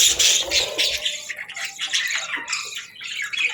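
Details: Morning chirping of budgerigars, with busy high warbles and short scratchy notes running together, loud at the start and easing slightly before rising again.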